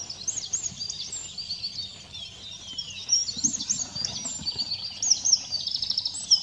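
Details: A Eurasian wren, preening its plumage and singing in between, gives a loud, rapid, high-pitched outpouring of tinkling notes and fast trills without pause over a faint low rumble; Simunas, 2 April 2017.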